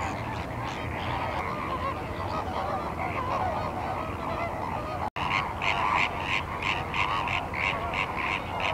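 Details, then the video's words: At the salt lake of Larnaca, Cyprus, a flamingo flock chatters. In the second half, nearer birds give loud honks about three times a second above the general murmur, with wind rumbling underneath. "flamingos at salt lake Larnaca Cyprus"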